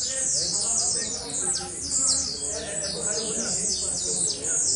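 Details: Blue-black grassquit singing energetically, a fast, dense run of high, thin, down-slurred squeaky notes that overlap almost continuously, with faint background voices.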